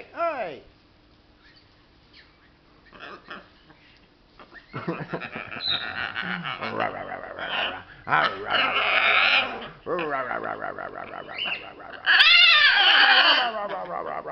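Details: Pet macaw indoors, playing with its favourite towel: a quiet opening gives way after about five seconds to loud, harsh squawks and rising-falling warbled calls, bursts coming in quick succession and ending on a strong drawn-out screech.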